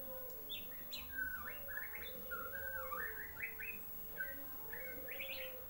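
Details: Young white-rumped shama practising its song: series of clear whistled notes and slurred upward sweeps in loose groups, some rapid stuttering phrases, steady low hum and a faint lower tone beneath.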